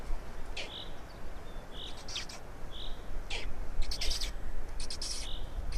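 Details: Feeding black storks, Estonia, 16 May 2019, 12:47: soft wheezy notes about three a second at times, with loud clicks and bursts of rattling.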